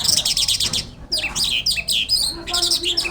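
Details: Energetic song of a Jal lark from Pakistan: loud, harsh, high twittering phrases in quick succession, with a short gap after the first burst and a faint low tone near the end.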